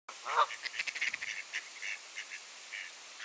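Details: Geese in an annual territorial fight at Sainte-Adèle, Quebec, Canada, on a clear, cold 7°C morning, 16 April 2023. One loud, rich honk opens, then a rapid string of shorter, clipped honks and clucks that gradually fades.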